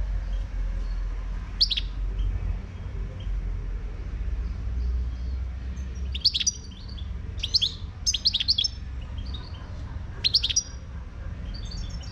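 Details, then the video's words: Wild Moroccan European goldfinch singing: short bursts of high, bright twittering notes at irregular intervals, clustered mostly in the second half, over a steady low background rumble. "تغريد #الحسون الخلوي المغربي"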